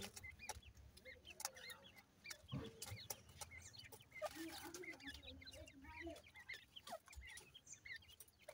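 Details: Feeding grey francolin chicks give scattered thin chirps and soft clucks, busier midway, over steady low background rumble and occasional knocks.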